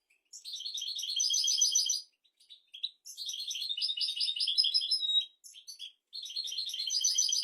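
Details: Song of a European goldfinch, used to train goldfinches and canaries: three bursts of rapid, liquid twittering and trilled notes, each lasting one to two seconds, separated by short pauses with a few soft chips.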